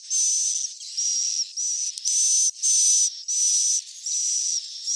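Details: Swiftlet chicks calling, a recording used to lure swiftlets into roosting: long, high buzzy hissing notes with a thin whistled tone inside, each lasting about half a second, separated by brief gaps.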